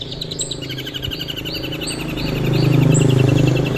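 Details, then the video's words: Long-tailed shrike singing, the recording meant to serve as a vocal tutor for other birds: fast, evenly repeated chipping notes with brief upward-sweeping whistles at intervals, partly masked by a swelling low rumble in the second half. "SUARA MEWAH CENDET SIAP JADIKAN GURU VOKAL"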